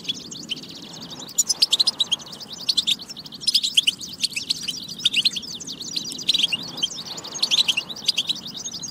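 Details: Lively European goldfinch song used to rouse goldfinches into song: rapid, continuous jingling high twitters with dense runs of loud, sharp chirps around the second, fourth and seventh seconds above low steady background noise.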